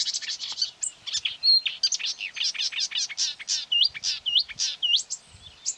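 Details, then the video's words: Agitated marsh warbler, 9 May 2020 near quarries, lured by its recorded voice and attacking the phone playing it; a busy, scratchy stream of varied high notes with repeated hooked whistles, continuous and energetic. "Болотная камышевка"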